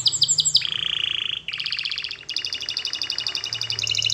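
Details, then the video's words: Canary song used in training, opening with swooping notes, then a low buzzy roll and successive rapid high trills repeated about four per second, over a soft low hum. "Beautiful !!! Canary Singing Birds Sounds at its best Melodies Canary Bird song Training"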